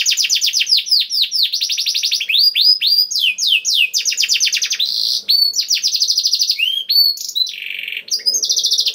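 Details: Canary in vigorous, special-style song used as a lure to get other canaries singing: fast high rolling trills and sweeping down-slurred notes, switching between trill types every second or so, continuous for nine seconds.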